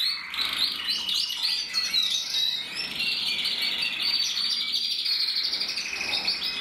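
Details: Caged red-black mosaic canary cock, 2024, from a breeder in the Loisach valley, delivering unbroken high song: rapid rolling trills, bright whistled notes and buzzy chatter blending into one long phrase.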